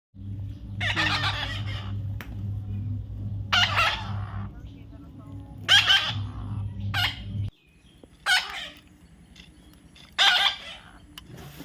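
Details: Baby parrot giving harsh, raspy squawks spaced a few seconds apart over a steady low hum, with a person's voice coaxing nearby.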